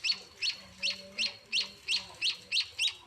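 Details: Munia chicks calling while being hand-fed at home: nine bright, high-pitched chirps, evenly spaced about three a second, with a faint low drone behind.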